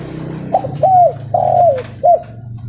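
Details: Spotted dove (derkuku leopard) cooing loudly while walking. Four clear phrases: a short note, a longer down-curving coo, a drawn-out falling coo, then a final short one, over a low steady hum.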